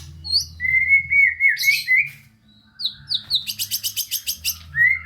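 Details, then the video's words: Song of a white-rumped shama meant to goad lazy, low-spirited shamas into singing: a long sustained whistle, a brief pause, upward-flicking notes, then a rapid rattling trill of repeated buzzy elements ending in a rising whistle. "Murai Batu GACOR Full ISIAN‼️ COCOK untuk Pancingan Murai Malas Bunyi dan Kurang Emosi"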